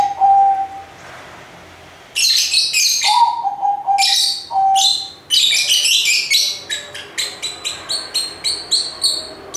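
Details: A short steady tone opens, then lovebirds break into loud, harsh chirping bursts that become rapid, evenly spaced chips toward the end, with a faint lower whistle mixed in mid-way.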